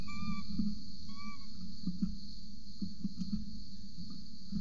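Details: Nest camera at a peregrine falcon ledge in Orange, Australia, 8:07 am on 26 November 2020, an adult feeding a chick: two short whistled calls in the first second and a half, then soft tapping and low rumble.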